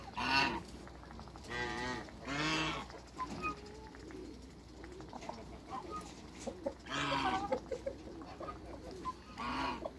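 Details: Loud, brassy honks burst out in clusters from six farm geese of African and Toulouse breeds, several calls in the first three seconds, a pause with scattered soft notes, then more honking near the end.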